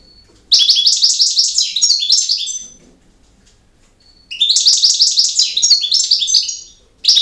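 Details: European goldfinch, campero song style: two extended phrases of dense, high, twittering trills, each around two to three seconds, separated by a pause, with the start of a third at the end.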